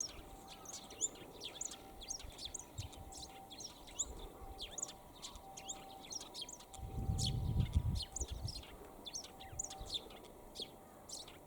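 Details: A sparrow perched for a long time, calling in fine weather; fast, steady chirps, several each second, keep up throughout, and a low rumble rises near the eighth second.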